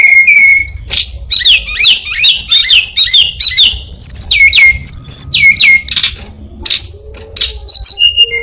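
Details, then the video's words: Orange-headed thrush, kept as a cage bird, singing varied imitations: a level whistle, a rapid string of looping chirps, high downslurred whistles and scattered sharp chips. "burung Anis binbin gacor isian perenjak,kucing,cirtu,dan burung lainya"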